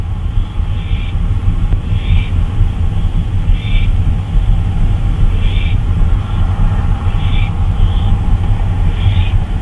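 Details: An owl on a nighttime flyabout at 2:39 AM, 26 May 2013, producing a series of short hoarse hissing calls, about seven across the stretch at irregular intervals, partly masked by heavy low rumbling background noise.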